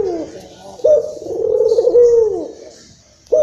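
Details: A single long trilling coo from a local Barbary dove, known as puter lokal, used as a decoy sound to stimulate other doves. The low note wavers for over a second and sinks at the end, and a new coo begins immediately after.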